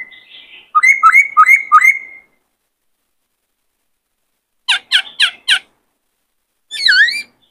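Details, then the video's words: White-cheeked laughingthrush, a caged male roused to sing and dance for training a wild-caught bird. Four hooked, upswept whistles arrive in quick succession. After silence come four sharp, buzzy clicks and one wavering, downcurved whistle. "Khướu bạc má hót nhiều giọng hay Luyện khướu bổi kích khướu trống căng lửa hót múa"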